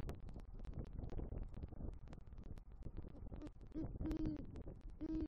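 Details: Great horned owl pair at a Southwest Florida nest tree, 3 November 2023, the male bringing prey and calling for the female: rustling and tapping at first, then soft, low hoots near the end.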